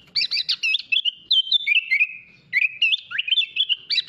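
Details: Kutilang, the sooty-headed bulbul, delivering full 'isian mewah' masteran song: dense, fast, varied whistled chatter with looping and sliding notes, one brief break midway before the busy rolling phrases resume.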